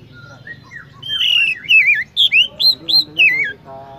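Oriental magpie-robin singing a rapid run of bright, slurred whistles and chirps, rising and falling, about five notes in two seconds, with faint background voices.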